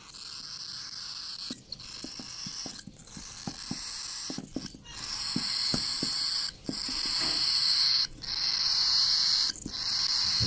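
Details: Baby cockatiel giving a harsh, hissing rasp in long bursts broken by brief pauses every second or two, with soft tapping and clicking underneath.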